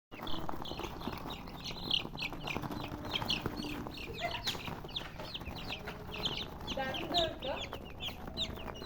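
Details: Colored chickens chirping in a dense, overlapping chorus of short, high, downward-sliding peeps that repeat rapidly throughout, over a low background rumble.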